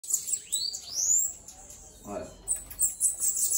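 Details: Bananaquit released and flying free, giving very high, thin, sweeping notes that slide upward, with a man speaking Portuguese partway through.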